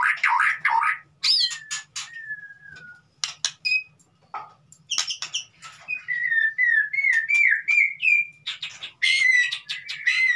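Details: White-rumped shama song meant to stir a silent bird into singing: separated clear whistles and sharp clicks, then a quickening series of short rising whistled notes and high thin slurs, with brief gaps between phrases.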